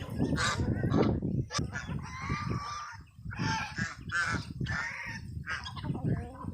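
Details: Geese kept with their chicks; loud nasal honks come in uneven bursts, some clustered, others spaced a second apart, amid strong low-pitched background rumble.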